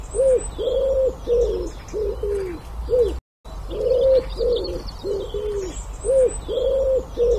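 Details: An ashy wood pigeon (Columba pulchricollis) gives a series of low, hollow, hooting coos in quick repeated phrases.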